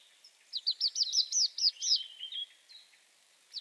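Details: A Tree Pipit sings a brisk run of high, repeated chipping notes that speeds into a trill, then eases into slower drawn-out notes, with a faint hiss of background noise.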